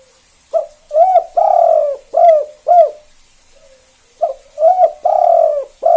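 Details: Spotted dove of the 'kuk 2' type, calling actively and used to provoke other doves into calling: two phrases, each a short coo, a doubled coo, a long rolling purr and two arched coos, separated by a pause.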